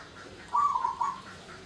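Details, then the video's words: A single short phrase from a local zebra dove, used as a lure to provoke mating arousal in other doves. The soft, rolling coo has a brief pause before its final note, with low hiss behind. "suara pancingan perkutut lokal❗ ampuh pancing birahi perkutut lain"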